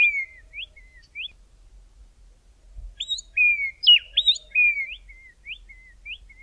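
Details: Two Grey Tits singing in the early morning in the southern Karoo in midwinter: clear, high whistled notes and quick rising-falling slurs in short repeated phrases, the two birds overlapping briefly near the middle; a quiet background otherwise.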